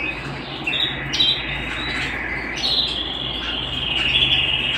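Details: Canary singing at home: a continuous high rolling song of sustained trilled tones that step up and down in pitch, with brief sharper notes between the longer rolls and a faint low hum underneath.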